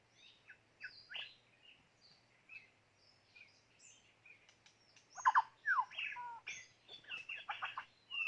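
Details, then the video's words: White-rumped shama used as a decoy bird for trapping, singing: sparse high whistled notes at first, then a loud burst of rich, varied whistles and chattering phrases sweeping up and down in the final three seconds. "ต่อนกกางเขนดง ตัวนี้สุดยอดจีงๆ"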